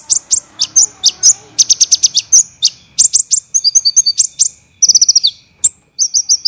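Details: Olive-backed sunbird, known as kolibri ninja, singing tight rough 'tembakan' phrases meant for teaching songbirds: piercing high notes in staccato volleys, a fast falling trill near the end, and faint low background murmuring early on.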